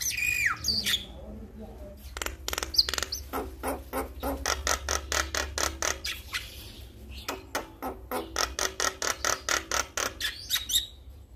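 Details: Male Javan myna calling to other mynas, which respond: long runs of rapid rattling clicks and harsh rasping notes, broken by a few high whistles at start and end.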